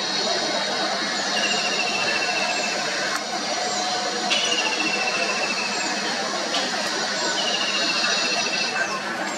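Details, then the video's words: Kingfisher singing at Chakala, Andheri, with bulbuls calling around it: shrill, rattling trills of a second or two, repeating about every three seconds, over a dense wash of high chatter from other birds. "Singer Kingfisher Audience Bulbuls"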